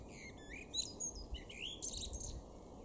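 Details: Male common blackbird in a garden in Weener, East Frisia, northwest Germany, in April 2024, singing a quick run of fluty warbled notes that break into high, thin twittering over a soft low background rumble.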